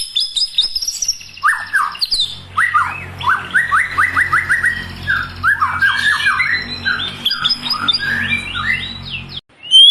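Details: Loud white-rumped shama song for luring a captive bird into singing: sharp high notes, then a fast series of downslurred whistles and rattling chatter. A low rumble runs underneath.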